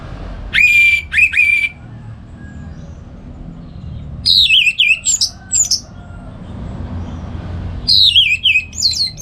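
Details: Orange-headed thrush singing in the morning at home in North Bali, Indonesia, used to train other songbirds; steady whistled notes, then varied phrases of falling and rising slurred whistles in loud bursts with short pauses.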